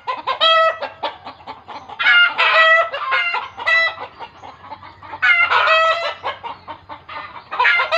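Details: Chicken calling in alarm, which village folk believe means it is seeing a ghost: sharp, strident cackle bursts about every one and a half seconds, linked by rapid clucking and a faint low hum.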